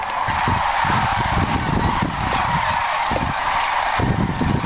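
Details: Several thousand Sandhill Cranes fly in at sunset from cornfields to roost in the shallow Platte River, Nebraska, during migration. Their rolling, trumpeting warble-bugling calls form a dense, unbroken roar that grows louder as more arrive.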